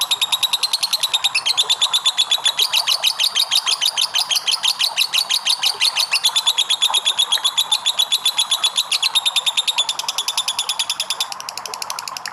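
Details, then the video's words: Extended lovebird ngekek, used as a lure for other lovebirds: a loud, rapid, gritty chatter in which the notes crowd together, then become more spaced and fade slightly near the close. "LOVE BIRD NGEKEK PANJANG"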